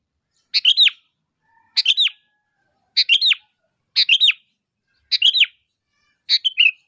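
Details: Sooty-headed bulbul in full voice as a lure for other bulbuls: six near-identical bubbly phrases, each ending in a falling slur, spaced about a second apart.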